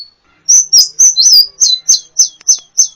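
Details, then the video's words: Sunbird calling loudly in a songbird training recording: a fast series of about ten sharp, high, down-slurred chirps, evenly spaced. "masteran burung gacoan, Kolibri"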